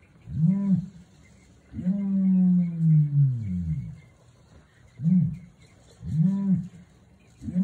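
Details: Red/blue male ostrich booming early in the morning at an ostrich farm in San Diego: deep, low booms, one long drawn-out boom lasting about two seconds, then shorter repeated booms roughly once a second.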